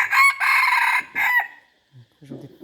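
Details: Chicken crowing loudly: a harsh, rich-toned crow broken into a long main phrase and a shorter closing burst, then trailing off, with faint low murmurs afterward.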